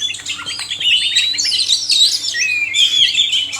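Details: A male and a female oriental magpie-robin singing together, recorded to stimulate caged birds; a few clicky notes open into sustained bright whistles and wavering trills, steady and loud to the end.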